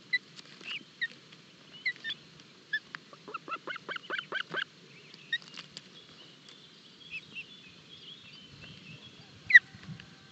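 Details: Osprey chicks at their nest in Barlinek forest, filmed by a live nest camera during an early breakfast feeding on 25 June 2022. A rapid burst of sharp, downslurred chirps peaks midway, with scattered single calls before and after.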